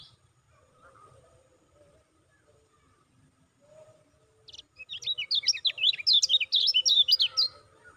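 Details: Lemon-bellied white-eye lure call used to excite caged kecial kuning: near silence with faint murmur at first, then a rapid burst of high, squeaky zigzag chirps for about three seconds.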